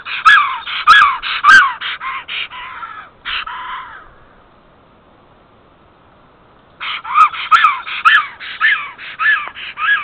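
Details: At a nest in Estonia on 8 April 2014, 10:55, a female black stork calls for her mate, late returning from migration. A burst of rapid, raspy harmonic notes is followed by three seconds of silence, then another fast series.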